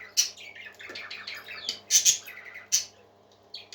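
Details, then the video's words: Indoor parakeets chatter in a busy warbling stream of high scratchy notes, broken by several sharp squawks near the middle and end, over a low room hum. "Happy Parakeets Singing"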